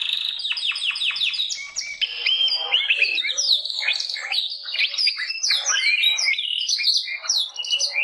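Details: Gloster or Yorkshire canary in full song, starting with a run of quick descending notes, then a varied high warble of twittering and slurred whistles that never pauses.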